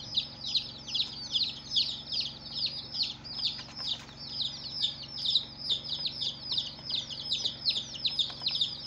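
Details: A brood of newly hatched chicks on their first day, cheeping steadily in shrill, falling notes that pulse in loud bursts roughly every half second, the chorus dense and continuous.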